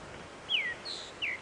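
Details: Male groundscraper thrush singing at sunrise on a game reserve safari drive, a melody rather than a territorial call, possibly to attract a female; clear descending whistled slurs and a high thin note, over soft outdoor background noise.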